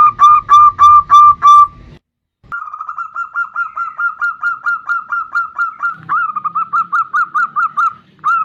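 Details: A bodronoyo zebra dove sings as a lure to start other birds: a loud run of five rounded coos, a pause, then a long, fast, regular trill-like series of clipped cooing notes, about three per second and speeding slightly.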